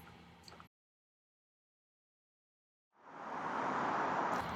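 A brief spell of faint background noise, then a stretch of silence, followed by a steady broadband rush like flowing water or passing traffic, with no animal voice.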